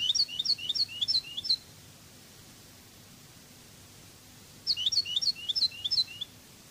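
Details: European goldfinch, Spanish Cádiz-style song: a sequence of about six high, slurred double notes, then silence, then a second matching sequence of bright, swooping chirps.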